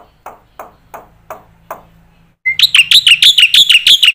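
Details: Black-winged myna master song for training young mynas: several soft, low knocking notes, silence, then a brief whistle and a loud, regular series of shrill ringing chips.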